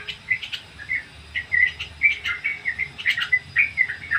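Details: Ngriwik song of the Sooty-headed bulbul as a training lure: clear, fast chirps and short warbled whistles in a lively run, fairly clean against quiet background.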